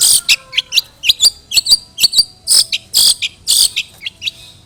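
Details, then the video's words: Lure recording of a long-tailed shrike singing a song rich in mimicked sparrow notes: loud rasping bursts interspersed with quick twittering chirps, about two notes per second in an uneven rhythm. "CENDET ISIAN GANAS Pancingan Ampuh Burung Trotol Gacor"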